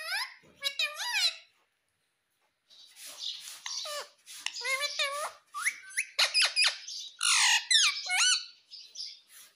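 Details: Pet ringneck parrot mimicking speech indoors, saying "Mummy" repeatedly; squeaky, chattering syllables with sliding whistled tones, a brief pause, then rapid repeated talk-like bursts.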